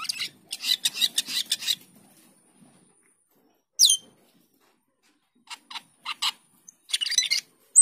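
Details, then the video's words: Cucak keling or jalak keling starling in energetic song, with dense raspy, crackling phrases, a sharp high whistle in the middle, then scattered clicks and scratchy chirps after a pause. "cucak keling gacor teler atau jalak keling gacor teler"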